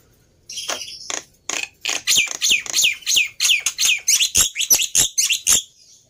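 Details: Black-winged myna in full song to prompt other birds to sing: a few opening chatters, then a quickening chain of loud, grating notes with slurred whistles, about three per second, ending abruptly.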